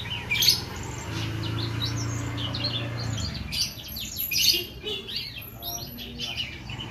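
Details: An oriental magpie-robin in lively song pours out dense, varied high whistles and chattering trills, growing busier in the second half, over a low electrical-sounding hum during the first three seconds.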